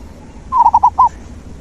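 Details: Brief zebra dove phrase meant to stimulate a dove that has stopped singing: four quick, rolling coo notes in under a second.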